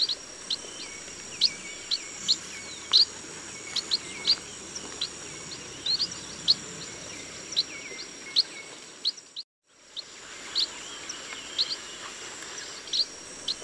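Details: Chestnut munia calling in a rice field: thin, high, short chirps scattered irregularly, several per second at times, over a constant high insect-like hiss; brief silence midway.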